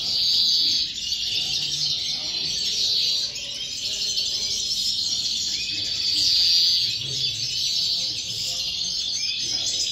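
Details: European goldfinch 'corona' song in five 'remesas': sustained bright twittering warble with louder, ringing trilled bursts recurring about every three seconds, high and metallic, with little else audible.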